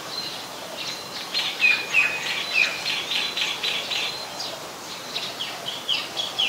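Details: White-vented myna recorded in Ubon Ratchathani, Thailand, on 14 December 2020: harsh squawking notes given in a rapid series, roughly three per second, mixed with shorter chirps over a light background hiss.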